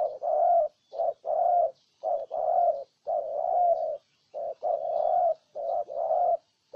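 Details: Spotted dove from Ninh Thuận province, Vietnam, giving close, loud repeated coos: brief clipped notes followed by drawn-out, even-pitched coos, with little pause between phrases and no other clear sounds.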